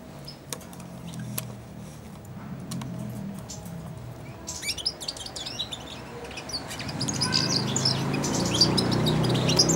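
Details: Caged four-month-old European goldfinch warbling subsong while feeding from a hand. A few clicks at first, then continuous high twittering joined by growing low rumbling and handling noise.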